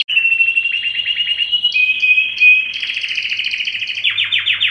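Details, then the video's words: Canary song used to arouse mating in males and females: loud continuous chain of rapid trills, a pure sustained whistle mid-phrase, then faster rolls and a few descending chirps at the end. "تغريد كناري لتهييج الذكور والاناث"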